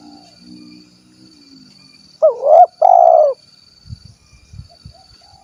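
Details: A spotted dove ('kuk 1' type) from Cilacap, Central Java, delivers a single three-part coo, an upturned flick, short coo, longer falling coo, amid faint murmuring, a high steady whine and a few soft low knocks afterward.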